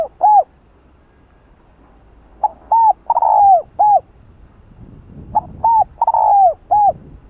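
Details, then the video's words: Spotted dove in the 'Hạp Bổi' voice, cooing to provoke other doves. Its phrases are two or three short hollow coos and one long falling coo, given in bursts about every three seconds with quiet gaps between. "Cu Gáy Giọng Hạp Bổi [ GÁY GỌI + THÚC + Gù ] Kích Bổi Cay Cú"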